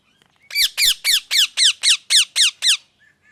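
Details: Parrot giving a loud series of nine harsh, falling squawks in an even rhythm of about three per second, set against a quiet background.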